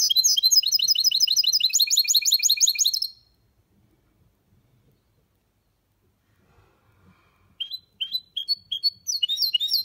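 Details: A champion goldfinch mule (goldfinch × canary hybrid) from 2023 sings clean in the Málaga style: a fast, bright three-second run of tinkling, twittering notes, a pause, then sharp trilled phrases.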